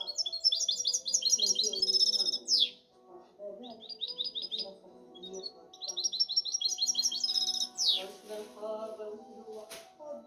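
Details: Caged European goldfinch hybrid singing: rapid trills of bright, tinkling notes in fast repeated series, ending in a sharp descending sweep, with pauses between phrases; lower murmuring background sounds, possibly other birds or voices.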